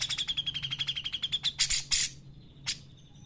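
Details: Grey-cheeked bulbul singing actively, recorded to stimulate and tutor other birds: a fast trill of pulsed notes holding a steady mid pitch, then two loud harsh bursts and a single sharp note after a pause.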